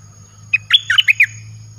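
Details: Caged red-whiskered bulbul singing a song phrase used to call wild birds: after a pause, about six quick, bright whistled notes in under a second, sliding and warbling, over a steady low hum and a faint thin high tone.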